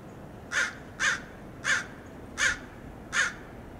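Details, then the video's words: American crows mobbing a red-tailed hawk perched at a roadside in Del Monte Forest, California, with dive-bombing attacks: five harsh, hoarse caws spaced roughly every 0.6 seconds over quiet background. "Crows mob and dive-bomb the Red-tailed Hawk"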